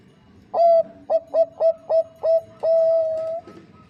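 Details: Female zebra dove of the Bangkok type calling to a male: an opening long coo, then five brisk stuttering notes, closing on a drawn-out steady coo over quiet background.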